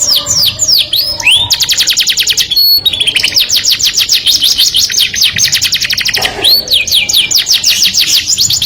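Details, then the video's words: Melodious canary song aimed at the opposite sex: opening swooping whistles, a brief pure tone, then extended rapid trills and renewed rising slurs, bright and loud throughout. "o som melodioso de um canário atrai o sexo oposto"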